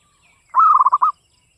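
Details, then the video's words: Singing Javanese zebra dove in the classic Mataram rhythm: one crisp, gurgling half-second phrase of rapid bubbling coo notes, with a soft chirp from another bird just before it. "PERKUTUT LOKAL GACOR cuman hitungan menit nyaut SUARA GARING"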